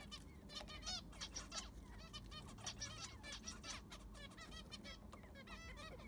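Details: Aviary zebra finches during cleaning, fresh sand laid: constant overlapping nasal beeps and short harmonic toots from many birds, evenly spread through the clip, with soft low background noise.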